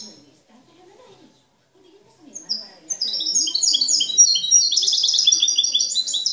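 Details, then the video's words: Goldfinch (jilguero) hailed as the king of 'cante limpio', a faultless master bird: after a quiet pause, a high whistled note leads into a long, fast, bubbling twitter of liquid chirps that grows louder and denser. "El rey de jilguero a cante linpio"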